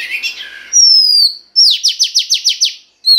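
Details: Female Oriental magpie-robin, her song used to stimulate the male: soft scratchy chatter, a long clear falling whistle, then a rhythmic burst of seven buzzy descending strokes, ending on a short whistle.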